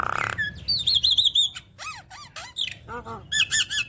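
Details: Javan myna song full of varied phrases, meant to prompt other mynas to sing: a wavering high whistled trill, then short upward-curving whistles and stacked descending notes in quick succession.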